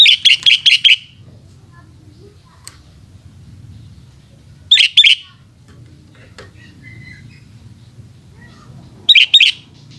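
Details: Sooty-headed bulbul singing in the afternoon: a quick run of four or five bright, clipped whistled notes, then two more short bursts about four seconds apart, over a low steady background hum.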